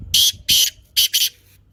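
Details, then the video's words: Black francolin (kaala teetar) giving its lively calling voice: four harsh, grating bursts in two pairs, the second pair closer together, with quiet gaps between. "کالے تیتر کی مست بولنے کی آواز"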